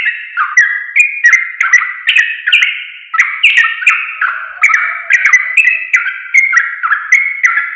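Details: Sooty-headed bulbul song used to train caged birds to sing: lively chattering whistles in a rapid string of slurred phrases, with brief breaths between bursts.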